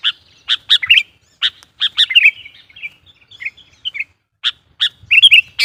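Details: Sooty-headed bulbul lure song used to provoke and call in wild bulbuls: loud, harsh, buzzy chirps in quick clusters, broken by a short run of liquid, warbled notes, then more rapid scratchy bursts near the end.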